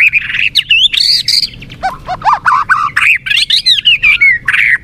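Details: White-rumped shama (murai batu), a popular songbird kept for its melodious voice, delivering a rich rapid medley of whistles, buzzy notes and quick rising-and-falling phrases with almost no pauses.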